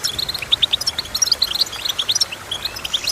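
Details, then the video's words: Goldfinch singing: a rapid, bright twitter of short high notes. The notes come in quick bursts with small pauses between them, and there is only faint background hiss. "Goldfinch Chirping"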